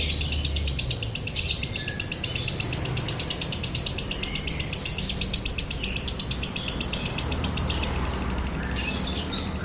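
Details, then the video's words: Lovebird konslet song in a dry tone, meant as a tutor recording to draw out other lovebirds: an unbroken, fast, even stream of sharp, scratchy chirps, roughly four per second, over a faint low hum. "MASTERAN LOVEBIRD KONSLET NADA KERING | PANCINGAN SUARA LOVEBIRD KONSLET"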